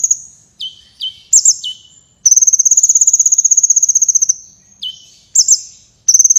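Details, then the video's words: Sunbird singing vigorously, offered as a master recording for contest birds: several falling whistled notes, a long steady trill of rapid high pulses lasting two seconds, then more downslurs. "Suara Burung Kolibri Gacor Berprestasi (Kolibri Wulung)"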